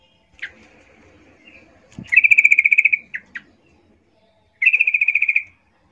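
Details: Female Yellow-vented Bulbul calling to males, used as a lure for bulbuls: rapid, even chattering trills of about a dozen bright notes each, given twice, with a few sharp single chips between.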